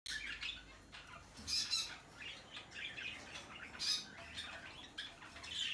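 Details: A tame, hand-reared rosy-faced lovebird recorded on 21 March 2020 gives shrill, harsh squawks and chattering screeches in uneven bursts, peaking every couple of seconds, in an indoor room.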